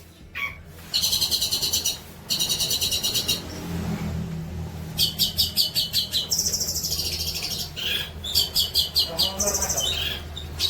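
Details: Long-tailed shrike song, a tutor recording for training young birds: two harsh, rapidly pulsed buzzy trills, then a series of shifting pulsed phrases and higher chattering notes, over a faint low rumble.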